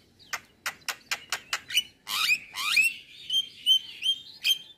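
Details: Javan myna male singing in the morning, a tutor track of varied phrases: seven crisp clicks in quick succession, then buzzy swooping notes and a series of clear, rising whistles.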